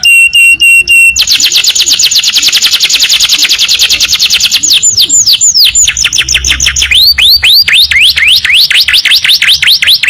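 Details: Canary training recording of long rapid-fire song: clipped opening notes, a long fast trill of high repeated syllables, then sharp descending whistles and looping swoops to the end.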